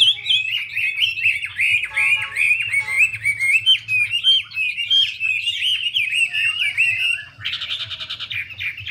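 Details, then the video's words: Chinese hwamei as a female dances and spreads out to drive the male into fiery song; long unbroken torrent of fluid whistled warbles and slurs, closing with a rough buzzy burst, over a low hum. "Họa mi mái múa xòe thúc trống nhanh lên lửa"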